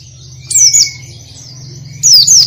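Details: Oriental white-eye, two short bursts of high, sweet warbling about a second and a half apart, each a quick twisting phrase. A faint lower whistle follows the first burst, over a low droning hum.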